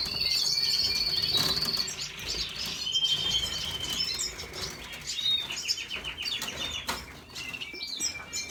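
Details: Red siskin recorded 5 April 2022, singing a high, buzzy, twittering song with a long sustained trill and rapid chattering phrases, over faint background rustling.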